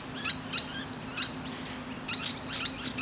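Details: A musk lorikeet resting on a tree branch chatters to other birds with paired, raspy high-pitched screeches, roughly one per second, uneven in timing.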